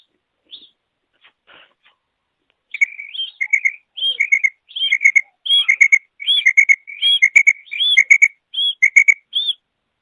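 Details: Female quail calling: after a few faint notes, a steady run of short whistled phrases, each a higher note dropping to a quick lower double note, repeated roughly every second in quiet surroundings.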